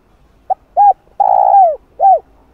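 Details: Spotted dove lure call: one full phrase of a short note, an arched coo, a long rough coo drooping at the finish, and a closing arched coo, clear against a quiet background.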